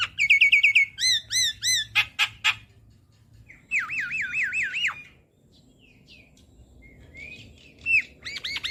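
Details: Energetic Javan myna song used to train cage birds: repeated high looping whistled notes, sharp clicks, then a rapid run of wavy whistles after a brief pause.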